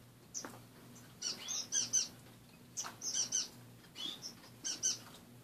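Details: A few finches in a nearly bare cage on a morning give sparse groups of high, crisp chirps, with a soft wing flutter or two and a low background hum between calls.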